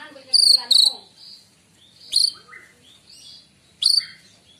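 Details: Morning song of a white-rumped shama used to lure birds: loud, high, piercing whistles with buzzy overtones, repeated at intervals, with softer lower whistles in between.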